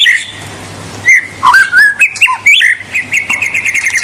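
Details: White-rumped shama in full song meant to provoke rivals: loud, varied whistled phrases with sharp upward and downward sweeps, ending in a rapid run of repeated high notes, over a steady low hum.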